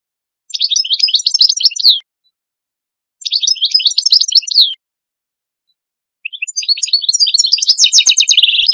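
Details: Tutor European goldfinch singing to educate young goldfinches: two short bursts of rapid tinkling twitters separated by pauses, then a longer phrase of chattering trills and a high buzzy note.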